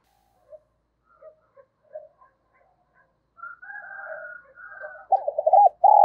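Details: Spotted dove decoy for attracting wild birds: scattered soft notes and a buzzy murmuring passage precede a loud phrase of looped coos and a sustained note near the end.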